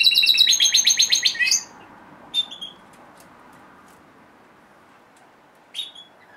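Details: A male red factor canary, pet, sings after hearing high piano notes, recorded September 22: a fast, high trill of about ten bright repeated notes in under two seconds, then two short, sharp chirps after long pauses.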